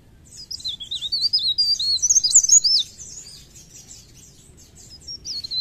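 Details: High, twittering song from an active mountain leaf warbler (Blerengan or Cikrak daun): a quick string of squeaky, wavering notes peaking mid-phrase, then trailing off into softer chatter.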